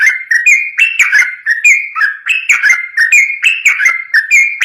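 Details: Yellow-vented bulbul in lively full song, used to draw answering song from other bulbuls. Clear whistled notes step up and down in a steady, looping phrase with no pauses.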